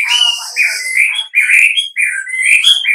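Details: Whistled wambi lure call intended to make other wambi respond: loud, continuous sliding whistles rising and falling in quick phrases, filling the recording.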